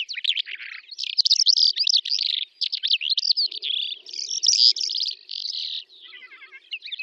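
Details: In the Russian steppe near Astrakhan, a Calandra lark sings in May 2017, pouring out rapid twittering phrases, rattling trills and squeaky whistles in an unbroken flow, ending in softer ticking notes.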